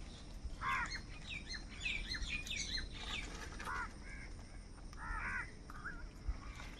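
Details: Crows calling for food, scattered hoarse arched caws and some higher short notes over steady low background rumble, quieter and more distant than nearby calls.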